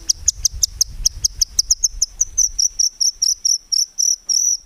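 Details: White-rumped shama (murai batu), a tutor recording for training songbirds, in steady full song of rapid 'tembakan' phrases without 'ngukluk' notes: a fast, high, piercing note series that speeds up, then slows into longer separate notes.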